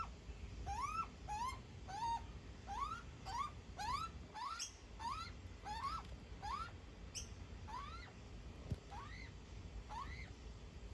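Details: Baby magpie being fed by its mother makes around fifteen short rising squeals in a loose series that fades and spaces out toward the end, with a low background rumble.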